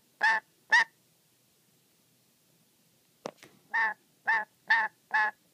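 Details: Angry, wary pet black-capped lory that gets upset even when simply watched playing with its beloved socks: two harsh squawks, a silent gap, a short sharp rasp, then five more grating nasal squawks at a quick, fairly steady pace.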